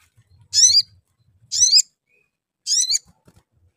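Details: Sooty-headed bulbul calls used as a lure to prompt other bulbuls to sing: three bright, chirpy, bubbling phrases of descending notes, about one per second, with near silence between.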